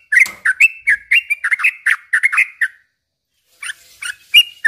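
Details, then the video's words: Song of the sooty-headed bulbul used as a lure: quick chattering whistled notes that wobble up and down for nearly three seconds, then silence and a few scattered sharper chirps. "suara trucukan gacor ini ampuh bikin pancingan burung trucuk"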